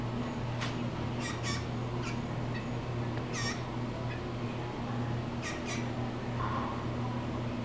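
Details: Male blue jay appearing to address the camera: scattered short, rasping squawks, some paired, at irregular intervals across several seconds, with a constant low humming drone underneath.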